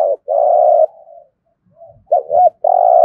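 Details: Spotted dove used to attract wild doves, cooing: long low steady coos separated by quiet soft notes and a wavering double note, with a faint low rustle in the gap.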